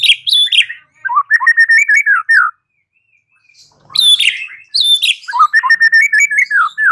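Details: White-rumped shama song used to coax a bird into answering and singing: two similar phrases of varied rich whistles, rising and falling notes in quick sequence, separated by a clear silent pause.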